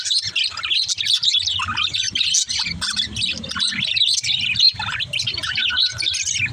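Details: Baby budgerigar singing, with rapid rising and falling chirps and squawky twitters over faint low background noise.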